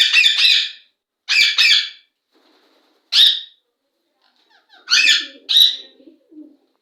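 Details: Pakistani Indian ringneck parakeet giving repeated loud raspy screeches, mostly in pairs with gaps between, plus a single squawk; faint low murmuring noise near the end.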